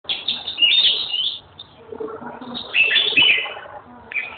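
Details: Red-whiskered bulbul singing: two bright, slurred, warbling phrases with a pause between, over a busy background murmur of lower sounds.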